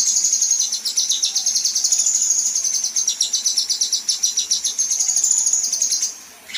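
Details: Female kinoi 'besetan', a fast, very high rattling trill of rapid clicking pulses that runs unbroken for about six seconds before fading. Recorded as master material for contest songbirds.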